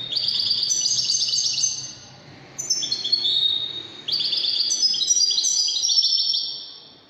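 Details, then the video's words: Widani European goldfinch in song, delivering long runs of fast, liquid twitters and metallic trills, one brief pause near the middle, then a continued stream of high chattering notes. "تغريد طائر الحسون الويداني"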